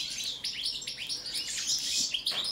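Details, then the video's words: Goldfinch, subspecies balcanica, in a song check, delivering a rapid string of bright, high, liquid twitters and rising slurred notes, tightly packed and continuous. "Kontrola pesme, štiglić, češljugar, grdelin n, carduelis balcanica"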